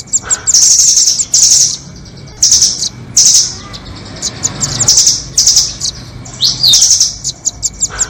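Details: Nuthatch lure for trapping, rambatan doraemon against red-billed rambatan: thin, piercing trilled phrases about every second or two, mixed with clipped chip notes and a short falling whistle.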